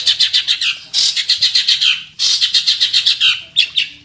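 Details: Centet (long-tailed shrike) kept as a fighting bird, loudly singing a full masteran mimicry repertoire in search of a rival: two long runs of rapid rhythmic chattering notes, each ending in a falling squeaky phrase.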